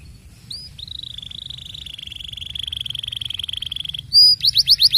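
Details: Canary singing. A few upslurred whistles lead into a long, even buzzy roll held for about three seconds. It then switches to loud, rapid chopped notes.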